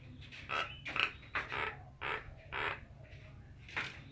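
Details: Nias hill myna uttering about a half-dozen harsh, croaking calls spaced roughly half a second apart, fairly quiet with a hiss of background noise.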